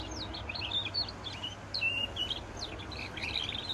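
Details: Goldfinch × canary hybrid giving scattered high chirps and slurred whistles in loose, broken phrases against steady low background noise.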